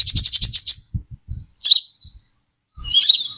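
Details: Brown-throated sunbird singing on a lure track: a fast run of about eight high chips, then two slurred, wavering twitters, with soft low thumps underneath.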